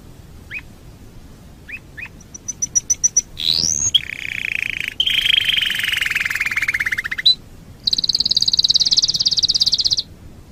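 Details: Canary singing on a master recording for training other birds: sparse chip notes and quick high ticks, a rising sweep into a long grating buzzy trill, then a bright sustained high rattle.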